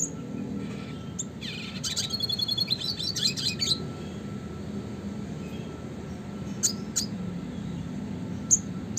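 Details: Classic red siskin song for songbird training. A two-second burst of rapid, high buzzy twittering and trills, then sparse isolated sharp chirps over a faint low hum.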